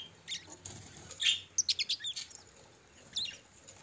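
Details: Chatter from a group of pet budgerigars: soft scratchy notes, then a quick run of five sharp rhythmic clicks and a final chirp, with faint wing flutter.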